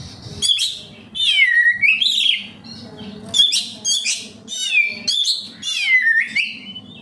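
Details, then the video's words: Caged oriental magpie-robin in full song, played as a lure to make other captive birds sing: rich whistled phrases sliding down in pitch, interspersed with rapid high twittering bursts, repeated in phrases about a second apart, faint low hum beneath. "Suara burung Kacer, cocok buat Pancingan Kacer bahan agar tambah Gacor"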